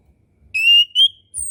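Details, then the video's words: Orange-headed thrush, a master song for teaching young birds to sing: two loud clear whistled notes, the first long and level, the second brief and slightly rising, then a thin high whistle, in a quiet setting. "MASTERAN SUARA ANIS KEMBANG KHUSUS UNTUK ANIS KEMBANG BARU BELAJAR BUNYI DAN KURANG BIRAHI"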